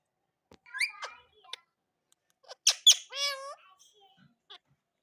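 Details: Rose-ringed parakeet (ringneck parrot) giving a few harsh, squawky calls and chattering notes with bending, rising and falling tones, in short bursts spread over five seconds against a quiet background.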